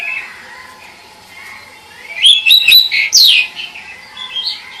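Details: Pied bush chat singing a short burst of bright, twittering chirps and rising whistles after a quiet start, with a faint hum underneath.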